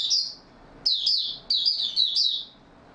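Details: Oriental white-eye in open, stable song on 28 February 2022; one high sweet note followed by quick clusters of thin, bright warbling notes.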